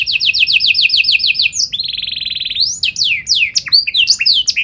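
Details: Singing canary, loud and showy with special phrasing to provoke other canaries into replying: a quick string of repeated rising notes, then a rich buzzy rattle, followed by tumbling sweeping whistles in rapid succession.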